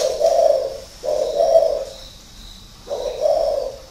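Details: Spotted dove kept caged for six years as a decoy, cooing three rounded, hollow notes with a brief gap before the last.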